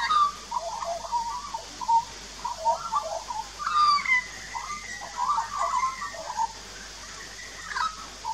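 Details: Adult and juvenile Australian magpies singing a duet at a backyard birdbath in Australia, filmed 2 March 2018 on a Nikon Coolpix P900: mellow warbled, gurgling phrases with rising whistled slides, continuous and varied, over low background hum.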